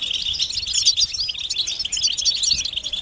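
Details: European goldfinch group twittering, mating and readiness calls said to make males sing and break their silence; bright, rapid, overlapping chirps and tinkling notes fill the whole moment.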